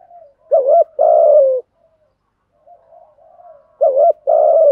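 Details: Spotted doves, male and female, giving 'thúc gù' coos used to stir trained decoy birds: two phrases, each a short wavering note then a long, slightly falling hollow coo, with faint softer cooing between them.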